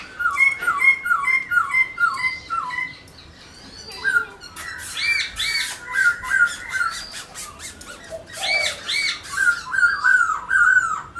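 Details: Black-throated laughingthrush, kept as a pet bird, dancing while singing: a rapid series of short whistled down-slurred notes repeated about twice a second, then richer fluting phrases and sharp clicks, in a small room.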